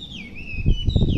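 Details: Brief fragment of Hwamei song from a hedge where the bird sings each morning: long, pure whistled notes that glide downward and level off, over low-pitched thumping and rustling.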